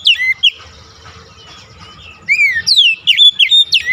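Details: Oriental magpie-robin singing a lure to prompt silent birds: a couple of sweet whistles, a quiet pause with faint background hum, then loud descending slurs and quick rising notes.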